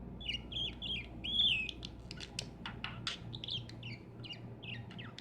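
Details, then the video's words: Caged lovebirds giving short, high chirps and squeaky whistled notes in quick bursts over a constant low electrical hum. "عصافير الحب"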